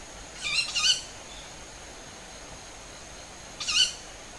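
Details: Owls calling overhead at a home garden on 20 July around 19:40, early summer evening, about five birds; a doubled shrill raspy screech followed about three seconds later by a single one.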